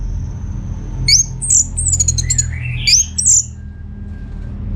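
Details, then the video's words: Orange-headed thrush song meant to make other birds respond: a few bright, high upslurred whistles and a lower sliding phrase in short bursts, over a faint continuous tone and low hum. "Putar Kicauan ANIS MERAH Gacor Ini dijamin Pasti Ikut Nyaut"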